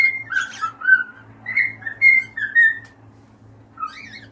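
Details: Singing cockatiels give a run of short whistled notes, some rising and some falling, in an uneven rhythm, ending with a quiet pause and one final softer whistle.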